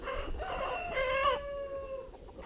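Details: Farm chickens give a drawn-out, strained alarm call. Their keeper listens closely because a fox still lurks near the poultry. Two or three harmonic squawks hold steady and overlap, then a long level tone fades out.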